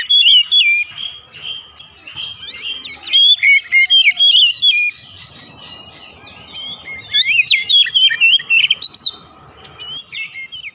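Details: Extended oriental magpie-robin lure song for kept birds: varied whistled phrases, some fluting, some sharply upswept, delivered in several loud bursts separated by softer warbling, with faint low background noise.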